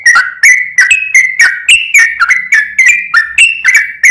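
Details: Sooty-headed bulbul in a lure recording, giving a steady run of clear whistled notes, each slightly falling, repeated roughly every third of a second in a bouncy, chattering rhythm.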